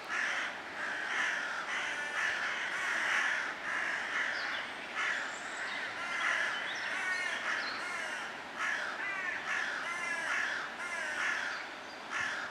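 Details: A flock of crows cawing continuously, harsh raspy calls repeated in bursts about every second, overlapping voices, with some faint higher bird notes and background outdoor noise.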